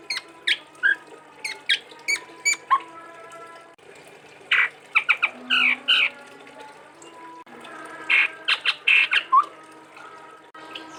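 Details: Chestnut-rumped babbler from Sumatra, a songbird prized by bird keepers, delivering a unique forest-style song of sharp clipped notes in loose bursts, with short pure whistles and chattering phrases separated by brief pauses.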